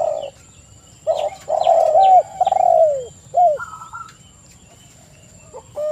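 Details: Spotted dove cooing: a run of mellow coos that bend downward and fade, followed by a short coo and a brief flat higher note, then near silence under a constant high whine.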